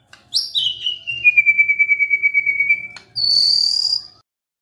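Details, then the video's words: White-rumped shama song used as a lure to prompt a stressed shama to sing: a long clear whistle sliding down and holding level, a quiet rapid warble underneath, then a short high buzzy note. "SEKETIKA MURAI STRES SONTAK BERBUNYI DENGAR PANCINGAN INI"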